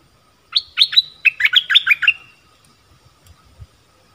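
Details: Stripe-throated bulbul recorded 1 April 2021 near a caged bird, with wild birds that would not land; one lively phrase of about eight rapid, gurgling, fluty notes, followed by faint low knocks.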